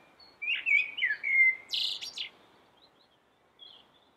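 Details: Common blackbird singing melodiously: a short run of fluted, warbling whistles at mid pitch, then a brief, high, squeaky twitter at the end of the phrase, followed by quiet pauses with faint high notes.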